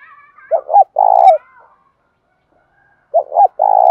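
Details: Spotted dove singing the bài bản bổi style to coax caged doves into cooing. Two loud, clean phrases about two and a half seconds apart, each with two short hollow notes and then a long steady coo.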